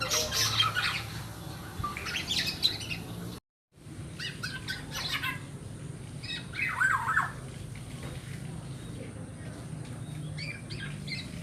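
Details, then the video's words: Black-naped oriole (Oriolus chinensis) chick, darker juvenile plumage stage, giving harsh, raspy squawks in quick irregular bursts, several per second, over a low steady hum with a brief cut; used to lure the parent birds. "Suara asli anak burung kepodang"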